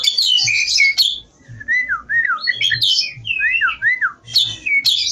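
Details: Javan pied starling singing vigorously: wavy whistled notes slurring up and down, mixed with bursts of harsh, buzzy chatter at the start and end.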